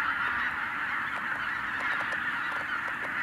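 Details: A huge flock of tens of thousands of wild geese, flushed by a white-tailed eagle, calling all at once, a dense, continuous wall of overlapping nasal honks and cackles with no pause; 2023 season.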